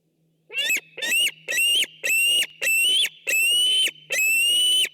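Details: White-tailed eagle picked up by a nature webcam on 6 August 2015: a series of seven loud, high, yelping calls with ringing harmonics, each about half a second long and spaced roughly evenly, starting after a brief quiet moment.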